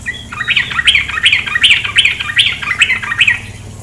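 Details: A female sooty-headed bulbul gives a steady series of harsh, scratchy chattering bursts, about three per second, each note dipping and rising, with a constant wash of running water beneath.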